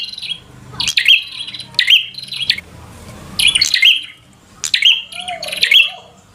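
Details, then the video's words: Bar-winged prinia in loud 'gacor fighter' song meant to provoke a rival prinia into fighting. Three bursts of sharp, high, rapidly repeated chirping notes, separated by short quiet gaps of about a second. "Suara Burung prenjak | Prenjak Gacor Full FIGHTER Bikin Prenjak Jadi Emosi Lawan"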